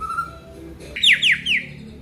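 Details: Aceh white-rumped shama singing its isian fill-in material: a faint low whistle, then three loud, sharp, downward-sweeping whistled notes in quick succession.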